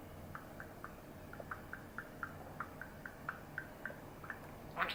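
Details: Nine-year-old male pet budgerigar chattering indoors, recorded 2 June 2024: a soft, even stream of short chirps, roughly four per second, cut off by a sudden clattering bang at the end.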